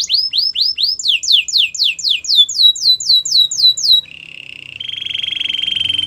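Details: Champion canary song for training other canaries: quick down-slurred whistled sweeps, about four per second, run for four seconds, then give way to a steady buzzy trill.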